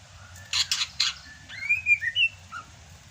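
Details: Greater green leafbird from Sumatra singing in the rainy season, kept as a songbird: a few harsh broadband chacks, then clear whistled slurred phrases near the upper-middle range, rising and falling.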